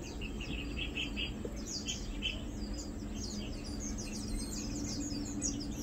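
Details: Feeding lowland white-eyes on 2 August 2022 give rapid high twittering chirps, some at a lower pitch in short bursts early on, others very high and overlapping throughout, above faint background hum.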